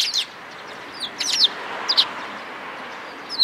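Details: Sparrows coming in for food, 11 April 2022, outbound route: a handful of sharp, downward-slurred high chirps, some paired in quick succession, standing out against low steady background noise.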